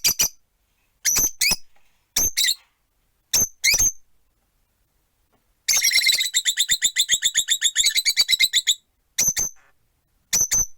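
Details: Four caged rosy-faced lovebirds on a perch by a window give sharp, high chirps in short bursts, then a fast rattling run of clipped notes lasting about three seconds before single chirps resume.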